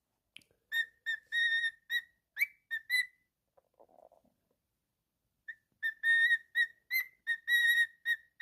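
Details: Pet cockatiel whistling a run of level, flute-like notes with one upslur, a quiet scratchy pause in the middle, then another rhythmic series of steady whistled pulses.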